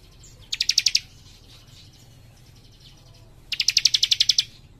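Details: Young cikrak in lively, dense song: two rapid, ringing trills of high metallic notes, each under a second, with roughly three seconds of near silence between them, over a soft low background hum.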